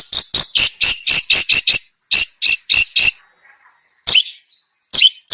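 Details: Long-tailed shrike in full, energetic song on a lure recording full of mimicked fills: a fast string of rasping, downslurred chirps, then a gap and a few isolated harsh squeaky notes.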